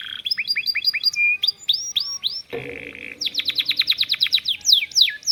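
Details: Canary song tutored with lovebird phrases, long duration: fast repeated curved chirps, a few slower arching whistles, a brief harsh buzzy burst, then a rapid stuttering trill ending in steep sweeping notes.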